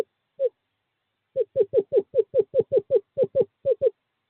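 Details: Courting-season male screech owl at an owl box on 2/11/2023, calling to a female: a single hollow note, a pause, then a steady, even run of about fourteen quick mellow toots.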